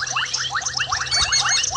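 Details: Woodland kingfisher calling at sunset in Djuma Game Reserve, Sabi Sand, South Africa, in February: a fast run of short, repeated notes in a rolling trill, with thin high chatter from other birds or insects behind.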